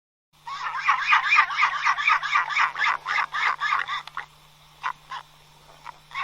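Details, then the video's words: Albatross giving a fast run of harsh, nasal, braying notes, about four per second. The run slows into scattered single honks near the end. No other clear sounds. "Som de albatroz"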